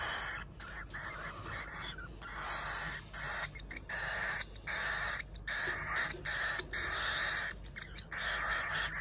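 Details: Two hand-fed cockatiel chicks, brothers of very different sizes, begging during feeding with harsh, raspy rasping calls in repeated bursts separated by brief pauses.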